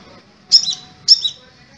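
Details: Crimson sunbird, locally sepah raja, uttering two sharp high chirps about half a second apart, each a bright note dropping into a brief lower tail, against quiet low background hum.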